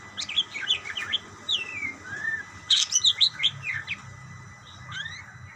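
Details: Budgerigars calling to each other: bursts of quick, high, twittering chirps and short rising and falling whistles, clustered in two busy phrases with quieter gaps, over a low background hum.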